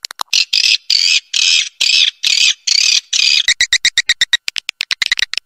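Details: Swiftlet calling sound intended to attract swiftlets to settle and nest: rasping, buzzy high chatter in half-second bursts, then a fast run of short, sharp clicking notes, about two per second or quicker.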